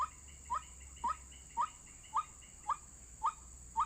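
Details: Lure recording of a white-breasted waterhen used for bird trapping, giving eight clipped, upward-inflected notes at an even pace of roughly two per second, with a steady high-pitched whine and faint low rumble behind.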